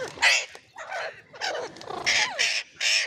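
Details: Harsh, piercing screeches from a ringneck parrot, six loud bursts in about three seconds separated by short pauses, one with a descending whistled sweep at its end.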